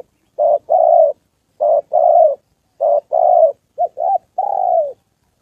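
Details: Decoy spotted dove during a holiday trapping session in Gia Lai, Vietnam, with a wild male and a female nearby; evenly spaced short-long coo pairs, ending with two quick notes and a drawn-out coo gliding down.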